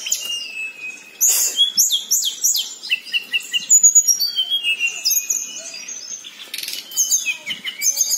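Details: A local Hill Blue Flycatcher, used as a lure to prompt silent birds into song, delivers a long, unbroken roll of sweet, high whistles and quick rolling trills that tumble up and down in pitch.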